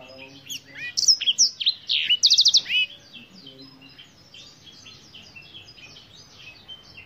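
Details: Lively song of a Black-throated canary: high sweeping whistles and slurred chirps build into a rapid, tight trill at mid-phrase, then trail off into faint, distant twittering.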